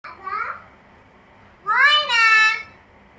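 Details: A talking common hill myna speaks two short, human-like words, possibly "moyna" and "baba", the second longer and rising then falling, like a child's voice in a quiet room.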